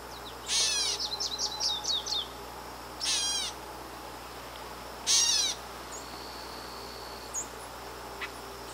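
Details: Wild Gray Catbird in Canada: three loud, harsh, nasal, descending bursts spaced about two seconds apart, the first followed by a quick string of thin chirps, with faint scattered notes afterward.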